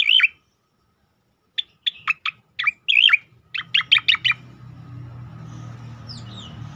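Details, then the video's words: Striated grassbird, locally cicakoreng, singing tembakan style for training and provoking other birds: a twisting whistle, pause, then a fast series of sharp descending notes, followed by low rumbling background noise. "khass tembakan cicakoreng untuk masteran dan pancingan bunyi burung lain"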